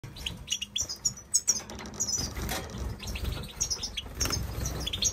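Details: Major goldfinches kept in an aviary: rapid tinkling chirps and twitters, many high notes overlapping in quick bursts, with wing flapping and a background rumble.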